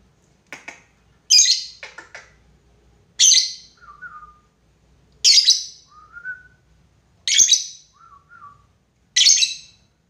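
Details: Lovebird calling to a rival, recorded as a lure for long 'ngekek' chattering; harsh, shrill screeches come roughly every two seconds, about five in all, with soft lower chirps between them.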